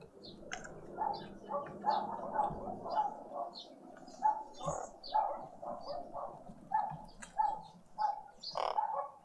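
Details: Family of green woodhoopoes at breakfast in a suburban garden feeder in Pretoria, South Africa, spring Sunday morning. Loud, rapid, harsh cackling notes tumble over one another in rhythmic bursts throughout, with thin high chirps of other birds above.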